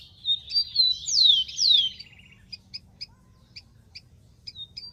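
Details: Rufous-collared sparrow song in the wild: wavering high whistles, two bold downward-sweeping notes and a short buzzy trill, then spaced double chip notes.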